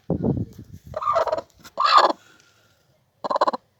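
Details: Broody hen (gurk tavuk) grumbling: low rough pulses at the start, then rasping buzzy clucking bursts of under half a second, ending with a short pulsed burst after a pause.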